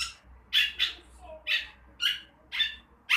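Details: Long-tailed shrike, a young bird learning to sing, giving harsh broadband squawk-like notes, single or doubled, repeated roughly every half second, with one softer whistled slur between them and a low hum behind.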